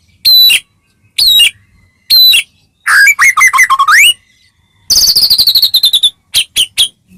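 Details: Medan white-rumped shama singing energetically as a lure to stir other shamas: spaced high whistled phrases, then a rushed sequence of rising slurs and a rapid rattling trill, ending in sharp clipped notes.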